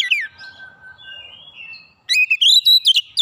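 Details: Oriental magpie-robin song, used to stir rival birds into singing, opens with a quick falling whistle, then a long thin level note. After a brief silence comes a dense burst of bright chattering whistles.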